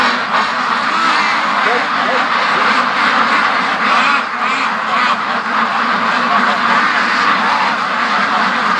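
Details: A large free-range flock of domestic ducks, part of 650+ raised together, rushing between home and a lake; dense, continuous overlapping quacking from many birds, with nasal calls rising and falling throughout and a brief dip midway.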